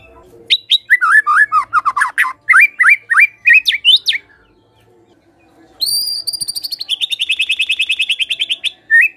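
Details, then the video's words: Energetic White-rumped shama singing, first a fast string of looping whistled phrases, then after a pause a bright high note followed by a rapid even trill of sharp repeated notes. "MURAI BATU GACOR"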